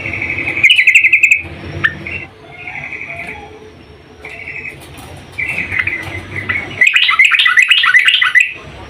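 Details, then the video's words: Female yellow-vented bulbul calling to a male, opening with a loud rattling trill, then softer separate phrases and a final long, excited run of bubbly chirps, over a faint low hum. "Kicau trucuk BETINA memanggil JANTAN"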